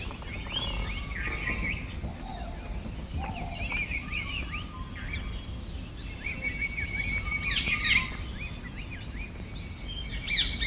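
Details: Several birds calling at once in forest at Motichur range, Rajaji National Park, Uttarakhand, India, heard on a safari drive: quick rising chirps and short whistled notes overlapping over a steady low rumble of engine and wind.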